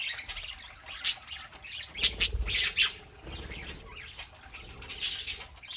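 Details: Several pet parakeets chattering on a Saturday morning: scratchy, high squawks and chirps in bursts, with a cluster of sharp calls around the middle and softer warbling between.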